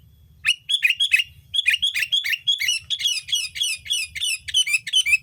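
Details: Sooty-headed bulbul lure recording used to attract bulbuls: a rapid, continuous series of harsh, chirping notes with sharply descending strokes, tumbling almost without pause for about five seconds.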